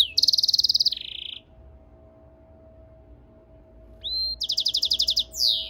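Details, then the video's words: Goldfinch × canary mule hybrid song: a fast pulsed trill and falling buzzy note, a pause of near silence, then a rising whistle and another rapid pulsed trill ending in a downslurred note. "European Goldfinch mule singing - Jilguero Mixto"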